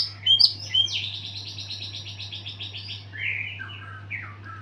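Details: White-rumped shama singing after its moult: a couple of sharp high notes, then a long buzzy rattling trill, ending in lower slurred whistles. Quieter and more distant, over a faint low hum.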